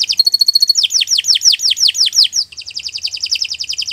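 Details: Long, vigorous canary song meant as masteran for training other birds: a rapid repeated trill, then a series of sweeping downslurred notes about six a second, ending in a dense buzzy rattle.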